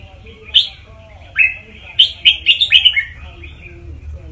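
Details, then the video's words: Red-whiskered bulbul teacher song intended to excite listening birds: two single whistled notes, then a rapid tumbling phrase of five or six bright whistles, over a soft low hum. "เสียงนกกรงหัวจุก นกครูเพลงเพราะ ๆ ยั้วนกฟังนกคึก"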